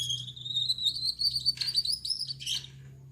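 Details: Male Gouldian finch, yellow-backed with red head and white chest, singing energetically at night: a continuous thin, buzzy, wheezing trill that slowly rises in pitch, ending in scratchy bursts, over a low steady hum.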